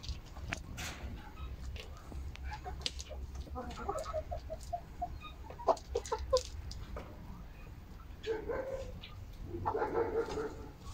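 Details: Domestic hens on 10 October 2022, a Monday when eight eggs were laid; a few scattered low clucks, then a burst of short, throaty clucks, with a fuller, noisier cackle near the end over steady background rumble.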